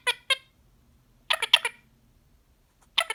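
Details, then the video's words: Male green pied Indian ringneck parakeet, a pet, talking while relaxed after a full day of fun; a few short raspy, harmonic syllables in quick bursts separated by silent gaps, with a faint low hum behind. "the parrot talks non stop while relaxing"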